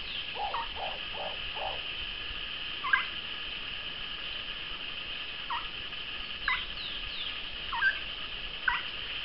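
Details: Moustached turcas, a pair or small group apparently in courtship: four low, hollow notes in quick succession early on, then scattered short higher notes, over a steady high-pitched buzzing drone.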